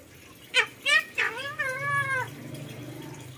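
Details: A red-breasted parakeet imitates a dog barking, copying the household dog as it is chased into its pen: three quick, harsh yaps about a third of a second apart, then a longer, nasal, whining bark. A faint voice is in the background.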